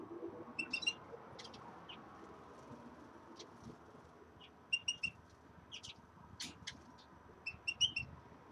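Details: Caged common redpolls adjusting to a new cage give sparse high chattering triplets and single sharp notes spread across several seconds, with quiet room noise between them.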